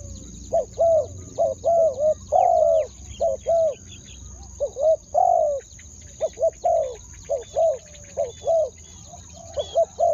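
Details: Spotted dove decoy cooing to attract wild doves, in ku-ang two-word style. Rapid series of low paired coos, some notes longer and stronger, with light chirping from other birds and low rumbling noise behind.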